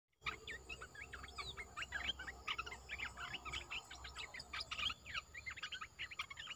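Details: Caged streak-eared bulbul, a new bird in a Thai keeper's collection, recorded 29 June 2021, pouring out a dense, continuous run of short chattering, bubbly notes with barely a pause, over a faint steady background hiss.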